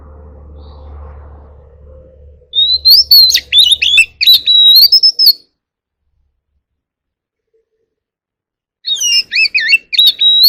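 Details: White-rumped shama, an ornamental bird, sings in forest voice to call its flock: bursts of fast, twisting whistles and chattery notes, then a long pause before another quick whistled phrase. A low hum is heard at the start.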